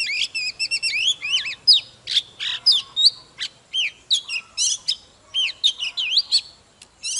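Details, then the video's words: Agitated old wild-caught Oriental magpie-robin singing in display. Fast chattering series of up-and-down slurred whistles and buzzy notes, phrases repeated in quick succession with brief gaps. "Chòe than Già rừng hót múa CỰC ĐỈNH || Chòe than Căng Lửa || Kích chòe than HÓT SÁNG"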